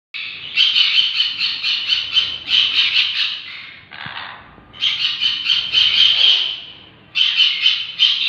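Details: A sun conure (Aratinga solstitialis) gives loud, harsh, rapid chattering squawks in bursts, high-pitched and grating.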